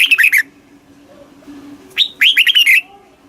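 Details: Red-whiskered bulbul song in Thailand, southern master-style phrasing, played to excite caged birds and teach young birds: two bursts of rich, rolling whistled notes dipping and rising, with a faint steady hum underneath.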